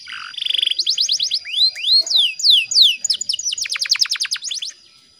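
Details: Female canary in breeding condition singing as a lure for males: a short buzzy burst, then quick trills, slow rising sweeps, and a dense rapid trill of descending notes before silence.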